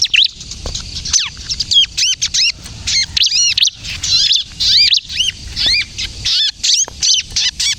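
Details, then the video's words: Bar-winged prinia song, kejepit style, used to lure birds and prompt other prinias to sing: bursts of loud arched whistles and fast high chirps in phrases about half a second long, separated by short silences, for nearly eight seconds. "suara burung ciblek kristal gacor, ciblek kejepit untuk pikat dan pancingan ciblek bahan agar bunyi"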